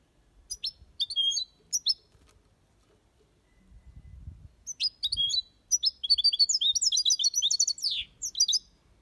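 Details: Aviary European goldfinch singing copia Malaga song. Short clusters of bright, tinkling chirps come first, then a brief pause, then a long, fast, busy stream of twittering notes.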